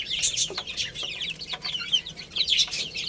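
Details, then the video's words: Little chicks at play and feeding, chirping in a busy chorus of shrill, down-slurred peeps that tumble over one another, broken by brief tapping clicks. "Cute Little Chicks Chirping Sounds| Baby Chicken Playing and Eating"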